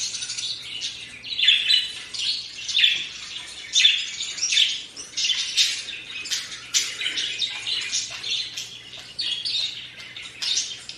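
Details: Pet budgerigars hearing recorded chirps of other budgies played from a tablet chatter and sing along with fast, overlapping high chirps and warbles.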